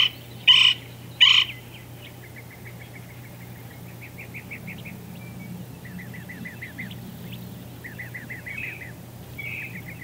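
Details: Pair of golden-fronted woodpeckers filmed in Palo Duro Canyon, Texas: two loud, harsh, clipped notes early on, then soft rapid chattering runs of short notes repeating through the rest, over a steady low hum.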